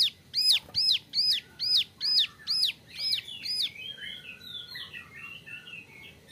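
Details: Young male ciblek gunung (prinia) kept as a training model for other birds, giving about eight loud, evenly spaced, arched high notes, then a softer jumble of quick twittering phrases.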